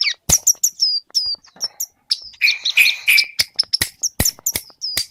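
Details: Scarlet-headed flowerpecker singing mimicked phrases: fast high sharp clicks and thin descending whistles, with a brief buzzy lower warble in the middle, repeated briskly about three times a second.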